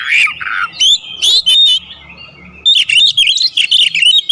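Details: Oriental magpie-robin in a full song packed with fill-in phrases and calling tones: loud whistled slurs and buzzy notes, a pause near two seconds, then a rapid string of clipped, rising and falling whistles.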